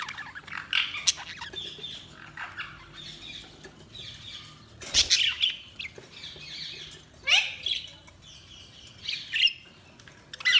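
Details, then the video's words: Pet budgies keep up a soft, continuous twittering, broken by louder scratchy chirp bursts every couple of seconds and a sharp knock near the middle. "Budgies Sounds| Budgies Chirping sound"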